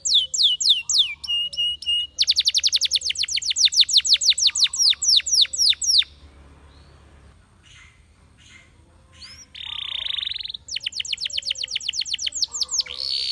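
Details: Song of a Spanish Timbrado canary: quick metallic rattles and rapid falling notes for six seconds, a short near-silent pause, then a harsh buzzy burst and renewed fast trills.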